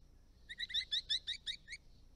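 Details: Eastern Rosella, a resident parrot visiting ponds and dams on an Australian property, giving one quick run of about nine sharp, metallic chattering notes that lasts just over a second, in otherwise quiet surroundings.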